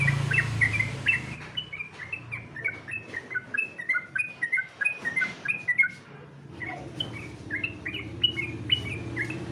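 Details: Sooty-headed bulbul delivering competition song: lively runs of short falling whistles, a brief pause, then more chirped whistles, with a faint low hum throughout.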